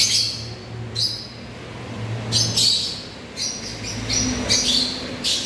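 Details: Shrill, piercing chirps from African lovebirds, coming in short bursts about a second apart, with a low steady hum underneath.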